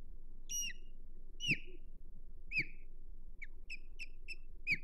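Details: Defending its nest on Hog Island on 22 May 2023, an osprey gives insistent shrill whistles, falling slurred notes that quicken into a tight burst of shorter chirps toward the end, over low background rumble.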